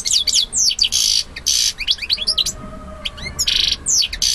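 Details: European goldfinch male in song to an accepting female: rapid liquid twitters, sweeping notes and harsh buzzy bursts alternating in quick succession, one brief rising whistle near the middle.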